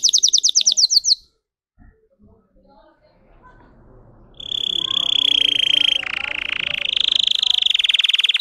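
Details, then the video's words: Russian singing canary, bred for a song of 10-15 high variations: a short fast descending trill series, a quiet pause with faint notes, then a steady high rolling trill that grows louder and slightly wavers. "Red trees Canary Singing"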